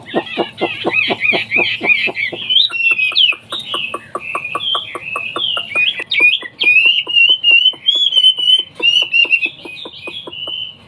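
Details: Hwamei, a caged songbird from China, delivering a rich, continuous run of fast twittering trills that turn into clear, slurred whistles, with sharp regular ticks sounding behind the song about three times a second.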